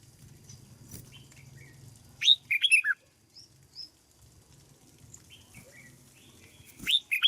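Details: A caged Red-whiskered bulbul, kept for decoy training in Vietnam, sings two loud warbled phrases about four seconds apart. Softer chirps are heard between them, over low rustling and humming noise.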